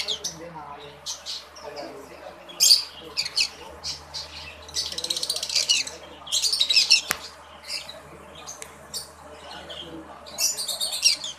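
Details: Breeding pair of green-cheeked conures, red-bellied form: bursts of harsh squawks and sharp chirps in irregular clusters, with quieter chatter between and one sharp click.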